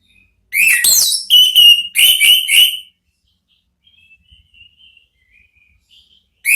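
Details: Orange-headed thrush therapy song of the ngeplong style, used to lure a thrush into answering: loud clear whistled phrases with rapid downslurs and warbled notes around two seconds of singing, then faint distant whistles and a final note.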